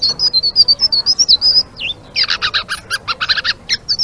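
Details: Active Blue-winged leafbird singing ngeriwik: a string of bright high whistled notes, a single downslurred note, then a dense rattling series of rapid buzzy chips, with a clean background.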